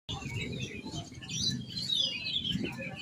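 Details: Oriental magpie-robin singing, with thin whistled phrases and short chirps scattered high above a low rumbling background.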